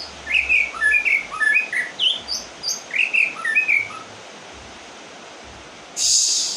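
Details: White-rumped shama, done moulting, singing in the rain: varied jumbled whistled and warbled notes in quick clusters, then a pause and a harsh burst, with continuous rain hiss.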